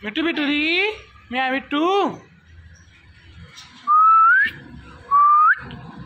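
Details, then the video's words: Pet Indian ringneck parrot talking: two hoarse, descending speech-like syllables, a quiet gap, then two clear whistles that climb gently and flick upward at the end. "Talking Indian Ringneck Parrot"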